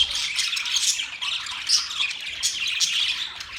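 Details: Caged budgerigars in a newly set up cage, a dense, continuous chatter of high chirps, squawks and warbles from several birds overlapping with no pause.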